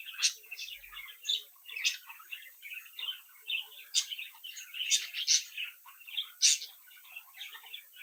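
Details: Budgerigar chicks from a captive brood chirping and mimicking; steady chatter of short warbled phrases punctuated by several sharp high squeaks spaced about a second apart.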